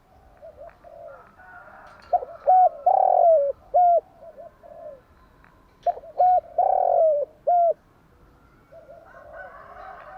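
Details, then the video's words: Spotted dove cooing in the morning, for training decoy doves: two full phrases of short lead-in coos, a long falling hollow coo and a closing clipped note, with softer coos between them. "Tiếng chim gáy bài bản gáy buổi sáng"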